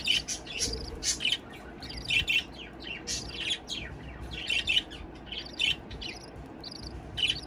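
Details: Captive breeding budgerigars chatter in a steady stream of bright, scratchy chirps and warbled notes.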